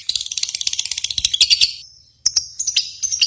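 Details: Lovebird competition chatter to provoke pet lovebirds: fast, shrill, rattling chirps in quick series, a short pause, then sharper high chirps resume.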